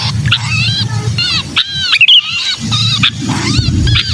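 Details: Sooty-headed bulbul distress calling, used to draw down wary bulbuls: buzzy, curving chatter notes in quick bursts separated by short pauses, a click, and steady low hum.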